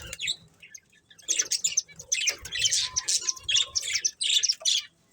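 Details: Two budgerigars, a breeding pair, start with a few soft chirps, then break into a lively run of high, scratchy warbled chatter lasting several seconds.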